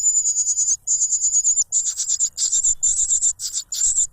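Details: Cuckoo chick noisily begging and grabbing for food from its foster father, who stuffs a butterfly into its mouth; shrill, very high, hissing calls come in long near-continuous bursts, breaking into shorter rapid pulses toward the end.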